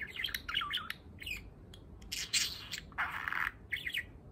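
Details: Eight-month-old male pet budgerigar practising talking, chattering in fast warbled phrases, inserting learned words between chirps, with harsh squawky bursts and sharp chirps, all high-pitched and run together.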